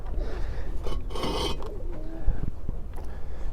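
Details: Rasping, rubbing and scraping noise over a steady low rumble, with no animal voice heard.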